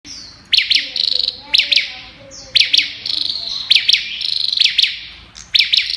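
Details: Olive-backed tailorbird singing in the rapid-fire style known as "Kalashnikov": sharp paired high chirps repeated roughly every second, each pair followed by a fast, even high trill, with faint lower notes in the background.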